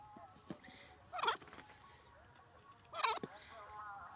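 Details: Grey francolin, known locally as teetar, giving two strained, buzzy, harmonic call notes about two seconds apart against a low background murmur.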